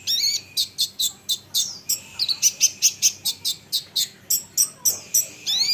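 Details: Olive-backed sunbird repeating loud, sharp, high chips at a steady, quick pace, with a few slurred notes; sung to prompt other sunbirds to answer.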